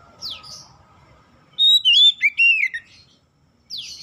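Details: One oriental magpie-robin phrase used to encourage others to sing: a single burst of bright, looping whistled notes sliding up and down, preceded and followed by quick descending sweeps.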